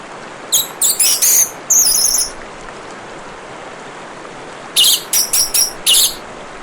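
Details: Running water hisses throughout while an orange-headed thrush gives two very high, rapid phrases of sharp, squeaky notes, the first ending in a drawn-out squeal, the second a tight cluster of chips.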